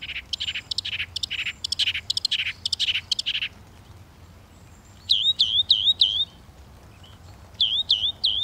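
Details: A Northern mockingbird sings a buzzy, harsh phrase repeated rapidly for several seconds, pauses, then switches to a clear whistled rising-falling note delivered in bursts of three.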